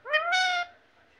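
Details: Pet parrot copying speech: a single loud two-part word, a short rising note followed by a longer steady, richly harmonic tone, then quiet room noise.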